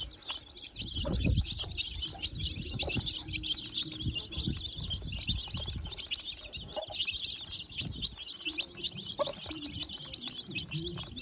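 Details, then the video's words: Hen hatching about thirty chicks in a nest; dense, continuous high chirping peeps from the newborn chicks, with low rustling and soft thumps from the nest underneath. "A Han Hatching 30 baby Chickens in Nest _ New Chickens Born"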